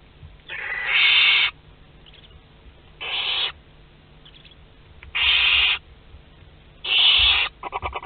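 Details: Second-brood nest box of Western barn owls at Théding, chicks hatching, 22 August 2021. Four long, rasping hisses come roughly every two seconds, each about half a second, with short ticking sounds at the end.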